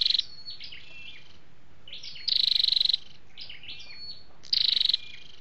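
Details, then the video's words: Male and female flowerpecker (chim sâu đầu đỏ) sounds used as a trapping or caged-bird lure. High, sharply pulsed trills come every two seconds or so, separated by soft, thin, twittering slides. "tiếng chim sâu đâu đỏ"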